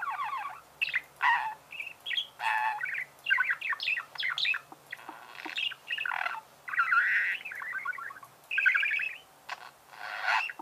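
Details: Budgerigar chattering almost nonstop: buzzy, rasping phrases mixed with squeaky rising and falling chirps, separated by short gaps, over a faint low hum.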